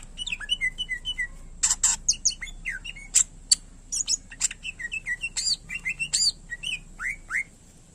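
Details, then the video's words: Greater green leafbird (cucak ijo) singing a varied, lively song: slurred whistles near mid-high pitch mixed with sharp buzzy bursts and rapid chattering notes, delivered in quick clustered phrases with short pauses. "Cucak Ijo Gacor Isian Pilihan Terbaik Cocok Buat Masterin Burung Lain Yang Malas Bunyi"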